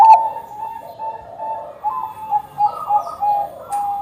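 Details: Zebra dove of the Bangkok type singing as a lure for other birds; steady, fairly quiet series of level, mellow coos, with a few louder pulses in the second half.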